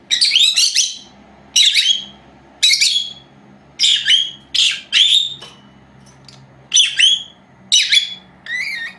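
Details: Indoor recording of two young female pet lovebirds, aged four months, at nap time, made with an old unattended camera; loud, rasping high chirps in clustered pairs, a brief lull midway, then more calls.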